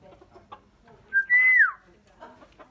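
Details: Myna, a bird that makes many different sounds and can learn human voices: one loud clear whistle that steps up, holds, then slides downward, with faint low chatter around it.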